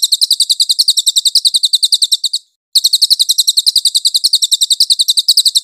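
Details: Clear cililin song used as training material for magpie-robins: piercing, high-pitched chirps repeated in a fast, even rattle, broken by one brief silence partway through before the same rapid series resumes.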